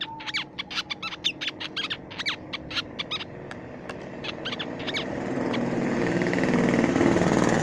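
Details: Crimson sunbird used as a songbird lure: a rapid run of bright, high chips and slurred squeaks for about three seconds, then sparser notes fading as a broad hiss of noise swells.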